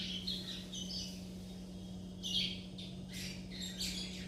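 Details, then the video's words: Chestnut-bellied seed finch youngsters (curió) churrilhando in captivity, uttering rapid high twittering chirps in loose groups, a louder burst near the middle, with a constant low electrical-type hum behind. "meus filhote churrilhando"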